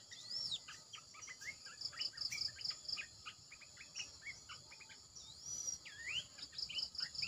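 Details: Red-eyed bulbul decoy calling, used to lure wild birds: rapid, choppy series of short chattering notes, with a few high whistled sweeps and steady insect-like buzzing above.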